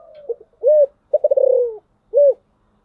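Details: Decoy spotted dove in thổ sấm voice, cooing to draw wild birds: short hoarse notes, a full deep coo, a fast throbbing coo falling in pitch, and a final clear coo.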